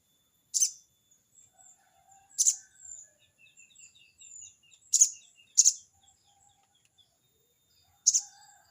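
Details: Crested jay calling to a rival: five loud, rasping 'crecet' notes widely spaced, with a pair in the middle. Soft thin chirps from other birds fill the gaps.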